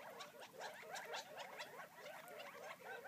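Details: Wild Gambel's quail feeding on a property just outside Florence, Arizona; many birds give soft, busy twittering and short slurred calls layered together throughout.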